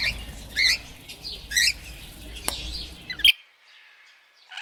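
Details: Parrot making harsh short calls about once a second over steady low background noise, then a sharp click and near silence before a faint final note.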